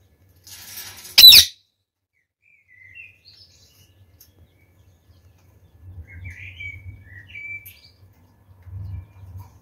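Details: A captive pair of rose-ringed parakeets, male and female kept about a year and still fearful of the owner, with the male not mating, give one loud harsh burst, then scattered brief high chirps and squeaky notes.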